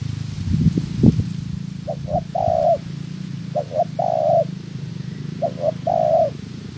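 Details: Spotted dove being trained as a trapping decoy repeats three phrases of two brief notes and a long mellow coo, after an opening burst of low thumping handling noise and a steady low hum beneath.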